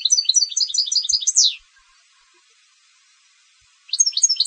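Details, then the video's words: Competition European goldfinch giving a fast high twittering run that ends in a steep falling slur, followed by over two seconds of quiet and the start of another rapid chirping phrase. "Canto del Jilguero de Concurso"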